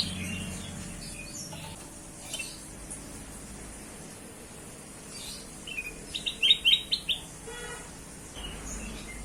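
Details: Kutilang emas (bulbul) singing as a lure for other birds: one short run of rising chirped notes late in the recording, heard against steady outdoor background noise with faint distant sounds.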